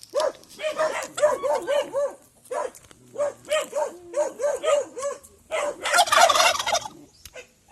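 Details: Domestic turkeys in Aratoca, Colombia, responding to their owner's communication: a rapid series of short, evenly pitched arched yelping notes in quick clusters, ending in a loud rattling gobble.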